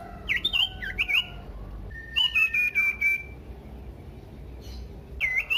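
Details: Common iora singing, meant to draw other ioras into excited song: short wavering whistles, then a long steady trilled whistle held for about a second, silence, and a final rising whistle.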